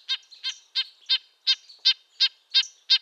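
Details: Nine nasal, tinny notes from a red-breasted nuthatch, evenly spaced about every third of a second, with faint softer notes between.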